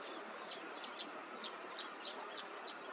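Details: A pair of tricolored munias feeding in a jowar field at Uruli Kanchan, Pune, India, in October 2023 give thin, high, short notes two or three times a second over a constant rushing hiss of insects or wind.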